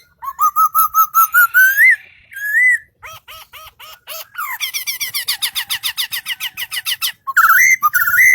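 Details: Close singing bird with a varied song: steady whistled notes rising in pitch, a long whistle, repeated hooked slurs, then a long fast buzzy trill of clicking notes and final rising whistles, loud in a quiet room.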